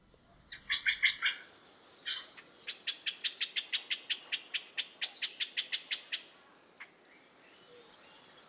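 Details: Streak-eared bulbul (Pycnonotus conradi) in a garden in western Thailand giving a few harsh, scratchy notes, then a quick dry rattle of about sixteen chips at four per second, unmusical and fairly high.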